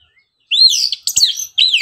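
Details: Orange-headed thrush in lively morning song, meant as a lure to rouse birds into singing: fast, fluid high warbling phrases with sweeping rises and falls, delivered in quick bursts.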